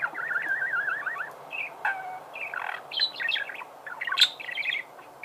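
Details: Budgerigar song opening with a rapid wavering whistled trill, followed by varied squeaks, buzzy notes and bright chattering phrases, with one sharp high click.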